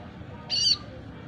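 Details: Young red siskin, four months old and kept as a caged bird, learning its song: one short harsh buzzy note lasting about a quarter second, high-pitched, over a low background hum.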